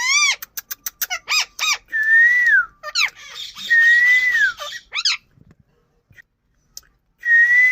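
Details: Indian ring-necked parakeet, a pet parrot, giving loud slurred whistles that rise and fall, mixed with rapid harsh repeated notes and brief squawks, with a short quiet gap before another long whistle.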